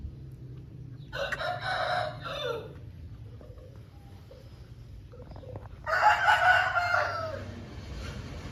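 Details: Pure Lasani Aseel rooster giving two loud, hoarse crows about five seconds apart, each rough and slightly falling at the end, with steady low hum between.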